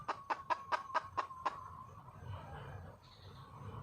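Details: Wild red junglefowl hen calling for a male: a quick run of seven short, clucking notes about a quarter second apart, then a soft murmur of background noise.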